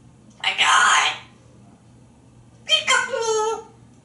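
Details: African grey parrot kept as a pet in Texas, talking from its shower perch during a playful game with its owners; two drawn-out, strained speech-like phrases, the second with strong stacked harmonics, separated by a pause.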